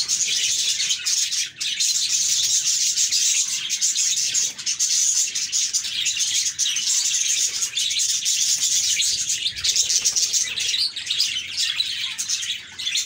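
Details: Happy budgerigars chirping together: a dense, unbroken wash of overlapping high chirps and warbles, many birds calling at once with no pauses over the whole stretch.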